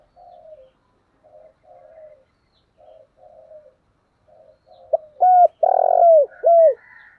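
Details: Spotted dove with the thổ voice, giving urging and calling coos. Several soft, low, murmured coos in uneven bursts build into a loud phrase: a sharp note, a hollow coo, a long rough coo and a falling last note.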